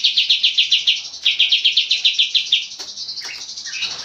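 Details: Clear, long-singing Oriental white-eye used to train cage birds: a fast run of bright, high, evenly repeated notes, a short pause, more of the same, then softer twittering and thin slurred notes.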